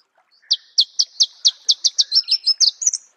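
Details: In natural habitat, a Marico sunbird delivers a rapid, accelerating string of about a dozen crisp, high chips that runs into a tumbling, squeaky flourish at the end.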